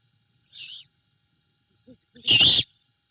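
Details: Great horned owl female at a Savannah, Georgia nest cam at night (21 Feb 2022, 21:05) takes a rat from the male to her owlet, giving yips: a brief high hissy rasp, then a louder, longer screeching yip with soft knocks between.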